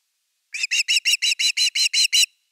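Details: At an osprey nest in Finland, 30 August 2021, as the evening fish arrives: a tight series of ten loud, piercing chirps at an even quick pace, then silence.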